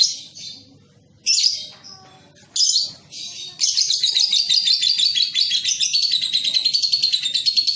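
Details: Young lovebird recorded for training others to sing long ngekek. Three separate scratchy high bursts come first, then a sustained rapid buzzing trill of evenly pulsed notes continues for the last four seconds.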